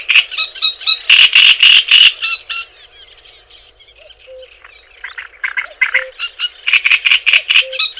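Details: Java sparrow song for training other birds: a loud, rapid string of sharp chattering pulses, a quieter stretch of soft twitters and low beeps, then renewed fast rhythmic bursts.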